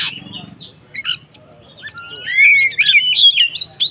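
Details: Fighting song of the white-rumped shama, used to provoke other shamas: scattered high chips build into a fast rich warble of whistles and slurred notes, roughly two per second.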